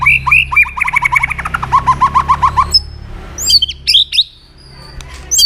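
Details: Energetic white-rumped shama singing with sharp fill phrases: about a dozen rapid repeated trilled notes stepping lower, followed by a pause and scattered high, thin whistled flourishes.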